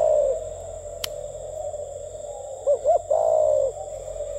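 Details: Spotted dove offered for sale, cooing in the style called gù tít: two short rising notes followed by a longer drawn-out, slightly falling coo. A steady low hum runs underneath, with a single click near the start.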